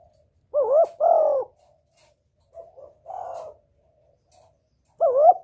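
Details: Spotted dove giving a lure call to attract a male: a pair of loud, mellow, hollow coos, then quieter muffled coo notes and a further loud coo near the end, in an otherwise silent setting.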